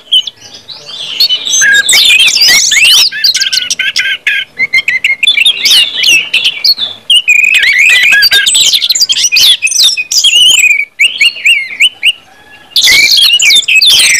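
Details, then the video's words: Orange-headed thrush in full ngeplong song, a recording for stimulating other birds to sing: a long, tumbling stream of bright whistles, trills and chips with scattered brief gaps, one near the end. "KUMPULAN ANIS MERAH NGEPLONG BIKIN CEPAT BUNYI DAN GACOR ANIS MERAH"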